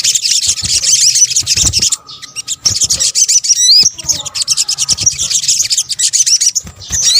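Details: Combination of sunbird (sogok ontong) calls used to attract birds in Indonesia. A thick stream of high, fizzy twittering is broken by a short pause holding a few clear, swooping whistles, then the rapid chatter resumes.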